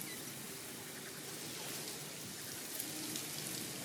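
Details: Steady rain patters down without pause, a soft even hiss filling the whole moment, and no animal voice rises above it.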